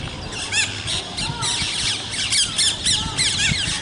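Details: Parrots calling outdoors: many overlapping harsh squawks and chattering rising-and-falling notes, dense and continuous over a noisy background.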